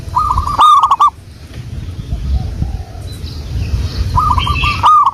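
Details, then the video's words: Zebra dove of local wild stock used as a lure, a rapid rolling coo phrase opening and closing the stretch, separated by a quiet pause with low rumble and crackles. "pancingan burung perkutut Lokal alam"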